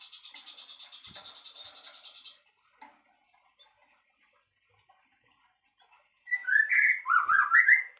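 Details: White-rumped shama, murai batu isian song: a fast pulsed high trill fades out, then after a quiet gap loud rich whistled phrases rise and fall, varied and run together.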